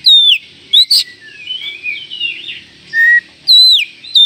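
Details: Oriental magpie-robin call meant to set off other magpie-robins in seconds: loud sharp falling whistles at the start and end, with a soft rambling warble and one flat whistle between.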